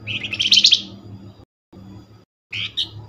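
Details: Flamboyan lure call: a buzzy high chattering burst over noticeable low rumbling background noise, a brief quiet gap, then a few more high chips.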